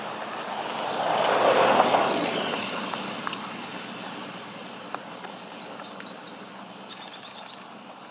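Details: A singing male Pink-headed warbler at a roadside forest edge on the Ocosingo Highway, Chiapas, Mexico, 21 March 2014: high, thin notes in quick repeated runs, some slurring downward, with a loud passing airplane early on.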